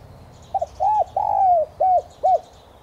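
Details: A single spotted dove phrase played as a decoy to get wild-caught doves cooing: soft stuttered opening notes, a curved coo, one long sliding coo, and two clipped arched notes closing it.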